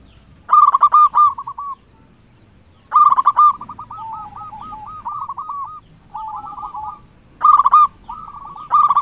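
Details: Zebra dove song used to coax silent or stressed doves to sing: loud clusters of rapid purring coos alternating with long, softer runs of rolling notes, four bursts over the clip.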